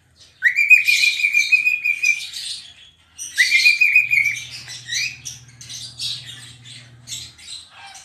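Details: Singing pet cockatiel, dancing and rubbing its tail. Two upward-sliding whistles flatten into held tones, followed by a run of scratchy, chattering notes. A low droning hum plays in the middle stretch.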